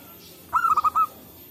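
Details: Local zebra dove calling in the wild in forest, birds answering one another, used as a trapping lure: a brief series of soft, mellow mid-pitched cooing notes run together in under a second, over faint background hiss.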